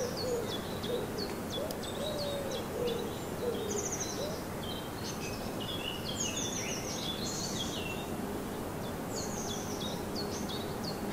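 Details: Birds singing in a garden in Germany in the morning sun: many thin, high chirps and short trills scattered throughout, several overlapping singers, with a soft lower warbling phrase and steady background hiss.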